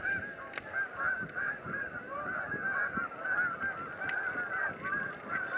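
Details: Canada geese by the thousands beside the Salmon River near Truro, March 22, 2014: a steady, unbroken babble of overlapping honks from a distant massed flock, with faint low rumble beneath.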